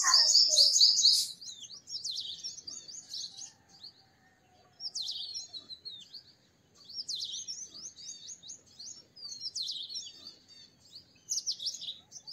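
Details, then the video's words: A purple sunbird gives high, thin, rapid twittering phrases in bursts every second or two, with sharp metallic chips mixed in, against a quiet background. "Purple Sunbird Songs - Purple Sunbird Sound - Purple Sunbird Call - Purple Sunbird Singing"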